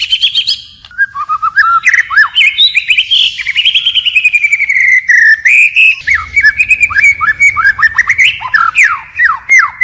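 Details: A white-rumped shama sings a long forest-style phrase sequence, changing voice continuously: flowing whistled notes and warbles, a sustained high passage, then a fast series of sharp descending chips.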